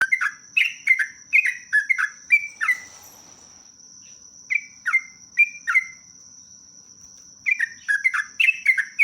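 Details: Sooty-headed bulbul singing in a lure recording with long rapid phrases: bursts of short, slurred whistled notes that drop in pitch, in groups separated by pauses. A steady, thin, high-pitched whine runs throughout.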